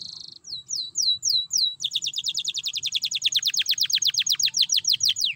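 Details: Lively canary in 'ngerek' style, a lure to get caged canaries singing: a brief high buzz, a few slow downward-sweeping whistles, then a long rapid trill of crisp descending notes.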